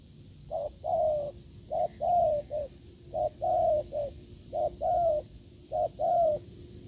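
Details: Field-caught-type wild spotted dove cooing hard toward a decoy, 'gù lợi cốt' style. Five deep phrases, each a clipped note followed by a longer sliding coo, one with an extra short tail note, steadily spaced.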